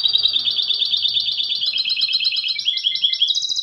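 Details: A goldfinch hybrid gives a fast, continuous series of high twittering notes, rapidly repeated and jangly. The notes step upward in pitch toward the end, over a faint low background rumble.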